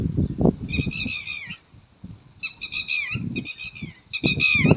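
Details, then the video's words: Red-wattled lapwing giving loud, harsh, slightly falling calls in quick bursts, four or five notes over several seconds, with low rumbling wind or handling noise beneath. "Red-Wattled Lapwing ટીટોડી પક્ષી"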